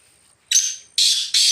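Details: Black francolin roaming free in the jungle: a short harsh note followed by two longer, loud, grating bursts in quick succession, against a quiet background.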